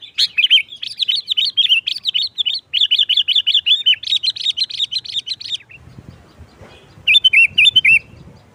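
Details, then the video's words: Trapping lure of Sooty-headed bulbul, sharp gacor nggaruda song: a long stream of quick, bright, repeated chirps lasting several seconds, a break filled with low rumbling noise, then a short burst of chirps. "Suara Burung Kutilang Gacor NGGARUDA TAJAM | Pancingan pikat Kutilang jadikan Kutilang ribut"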